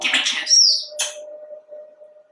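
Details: Male African grey parrot kept indoors in Texas, asked for a kiss by its owner: a harsh, noisy raspberry-like burst with a thin high descending whistle, then a short sharp click-like squawk, over a steady low hum.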